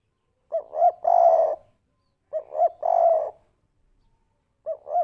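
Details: Spotted dove giving its three-note 'kuk 3' coo, used as a lure recording: two short rising hoots and a longer, fuller coo, repeated about every two seconds in a quiet setting.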